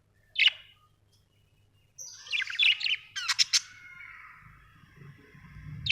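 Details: Budgerigar calls: a sharp single chirp, then a burst of scratchy chatter and clipped squawks, followed by a fading drawn-out warble with faint low background noise.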